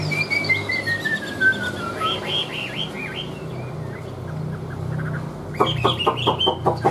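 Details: Chinese hwamei, described as singing well with an even voice, opens with a long clear whistle sliding steadily down, then a string of looping slurred notes, closing with a burst of rapid sharp clicking notes.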